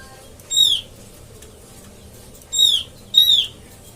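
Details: Lure sound for catching Oriental white-eyes: three sharp, high, descending call notes, one single, then a close pair, over a quiet steady hum.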